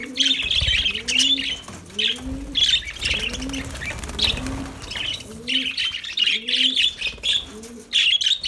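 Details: Bursts of shrill, busy twittering from lovebirds. Low, soft dove coos repeat at a steady pace underneath.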